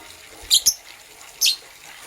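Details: Lovebirds, green and blue, chirping in the morning: a fast double chirp, high and scratchy, then a single chirp about a second later.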